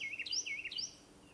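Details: Carolina wren in a park about 8 a.m. on 30 April 2022, five to ten metres away, giving two quick, bright warbled phrases of sliding, rolling notes under a second long, over a faint low hum.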